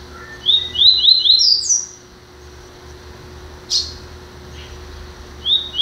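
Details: Double-collared seedeater, a new acquisition, gives one fast phrase of rising whistled notes ending in a high slide, followed by two isolated sharp chip notes, with a constant low electrical hum.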